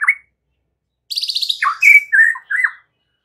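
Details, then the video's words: Song of a white-rumped shama, used as a lure to make other shamas sing actively and loudly. A brief whistle, a pause, then a fast buzzy rattle and several clear slurred whistles. "Suara kayak gini MALAH AMPUH Memancing Murai batu agar GACOR dan NGEPLONG"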